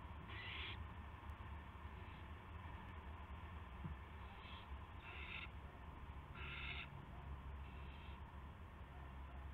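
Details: Owl at around 8 PM, March 18, 2016, while one bird brings a gopher to the other: a series of raspy hissing bursts, irregularly spaced, some loud and some faint, over persistent low-frequency hum.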